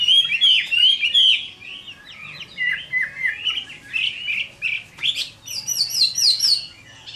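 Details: Hwamei fighting song on a hot summer noon, Vietnam: bursts of fluty, wavering whistles separated by short gaps, ending in high, sharp repeated chirps.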